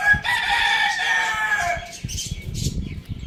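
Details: Pet rooster crowing loudly; one long, harsh, drawn-out crow with strong harmonics lasting about two seconds, then fading into clucks and scuffling noises.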